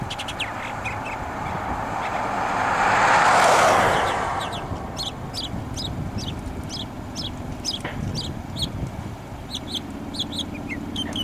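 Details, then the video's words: Mockingbird singing its long song: rapid strings of thin, high chirped notes repeated in quick sets, briefly drowned by a loud passing rush of noise, then continuing over steady background hum. "The Long Song of the Mockingbird"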